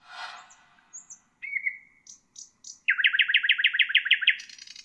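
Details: Common nightingale song, played for tutoring bulbuls and other songbirds: a broad buzzy burst, thin high whistles and a level whistled note, then a fast loud series of about a dozen repeated notes ending in a high rasp.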